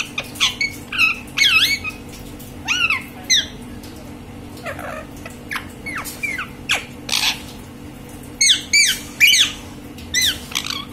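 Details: Green parrot calling with a rapid series of sharp, bending squawks and whistled notes, several in quick bursts and pauses between, over a steady low indoor hum.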